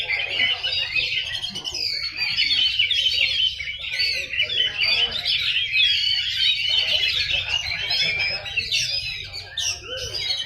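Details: Shrike singing at a bird-singing contest, pouring out a dense, continuous stream of high varied chirps, trills and mimicked-sounding phrases, with faint voices and low room hum behind.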